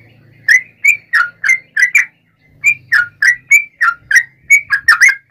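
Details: Yellow-vented bulbul singing a fighting song in the nggaruda ropel style, meant to provoke other bulbuls into answering: about a dozen short, bubbly whistled notes that rise and dip. They come in two bursts separated by a brief pause.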